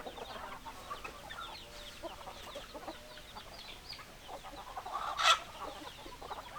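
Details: Hens clucking in a flock, soft rapid overlapping clucks throughout, with one louder harsh squawk burst toward the end.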